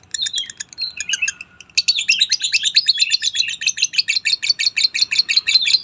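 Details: Lovebird making a few squeaky notes, then launching into a long, loud, steady series of rapid high-pitched chirps repeated about three times per second.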